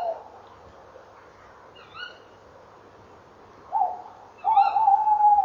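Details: Tawny owls calling at 19:22 on 28 November 2013 at a nest box, the female at the box and the male flying in: a brief note, a short rising call and a drawn-out, even, mid-pitched hoot over steady hiss.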